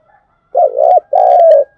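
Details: Spotted dove coo used as a lure to work up decoy birds for trapping: a mellow undulating note, a short break, then a drawn-out steady note, with faint light clicks over it.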